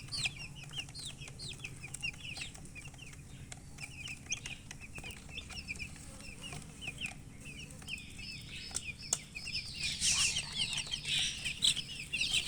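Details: Chicks giving many short, high peeps, roughly two per second, with tapping clicks throughout and a rush of hissing noise toward the end.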